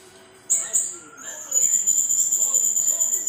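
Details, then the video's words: Srindit, the blue-crowned hanging parrot, in 'nembak' shooting song: two sharp high squeaks, then a sustained, very high, thin, rapidly pulsing trill lasting about two seconds. "Burung srindit nembak"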